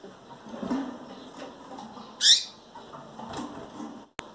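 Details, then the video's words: One strong, quick high sweeping call from a female double-collared seedeater that is nearly ready for breeding and calling often, set among light rustling and a sharp click near the end. "FÊMEA De COLEIRO GRAVATA CHAMANDO e PIANDO MUITO"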